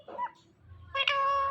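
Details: Pet rose-ringed parakeet talking, saying mummy papa; a short human-like voiced syllable, a pause with low hum, then a loud, bright, nasal, sustained parrot utterance lasting about half a second.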